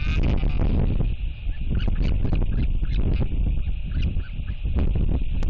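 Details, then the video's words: Royal albatross chick at Taiaroa Head sky-calls on hearing a parent arrive, then is fed: hoarse, honking, braying calls in a rapid pulsing series with a rich tone and range, over heavy low wind rumble. "Royal Albatross ~ Manaaki Skycalls A Parent & Gets A Nice Feeding!"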